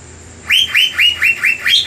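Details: Asian fairy-bluebird in lively singing form, used as a lure to provoke and rile rival birds: a run of bright, clear whistled notes, each sliding up then falling, repeated about four times a second over a faint low hum.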